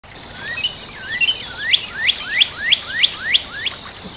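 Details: Northern cardinal singing a series of about eight clear upslurred whistles, each sweeping upward and repeated roughly every third of a second, gradually growing louder over a quiet background.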